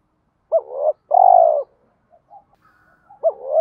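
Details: A spotted dove coos to stimulate other doves to coo. One full phrase is a quick upturned hoot, a swelling second note, then a long, sustained downslurred coo. The next phrase begins at the end.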